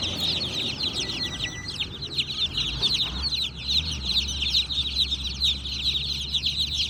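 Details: Baby chickens chirp in a dense, high-pitched chorus of short overlapping peeps, steady throughout over a low background hum.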